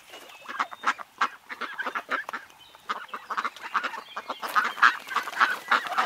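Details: Ducks at a pond giving a busy run of short, nasal quacks, several birds calling over one another at an uneven pace of roughly three or four calls a second.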